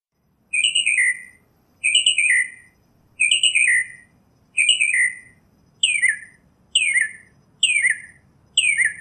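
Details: Northern mockingbird singing eight phrases: four buzzy double-note chirps, followed by four single downslurred notes, spaced about a second apart.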